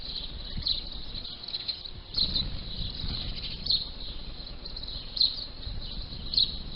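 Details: House sparrows feasting on winged termites leaving the nest for their nuptial flight on 12 May: short, high chirps every second or two over steady background hiss and a low rumble.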